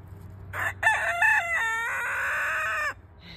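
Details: Young Silkie rooster finding his voice in the morning, giving one full cock-a-doodle-doo. Several short rising syllables end in a long, held, slightly wavering note of about two seconds that cuts off sharply.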